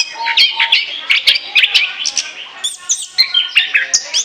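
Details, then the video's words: Orange-headed thrush song for luring birds: rhythmic bursts of bright chirping notes, several per second, then higher whistled phrases near the end. The delivery stays rapid and energetic. "ANIS KEMBANG NGOCEH NGEPLOOONG, SIAP JADIKAN PIKATAN"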